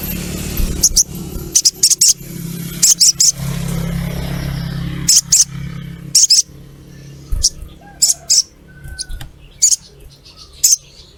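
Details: Female ruby-throated myzornis calling for a male: sharp high chirps, often in pairs, repeated roughly once a second over a steady low hum.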